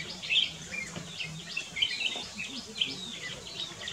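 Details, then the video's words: Short sweet chirped phrases of a Black-crested bulbul song at Camp Hornbill in Kyari Village, Corbett National Park, several quick whistled notes every half second or so, against a faint low background murmur. "Black crested bulbul - Singing"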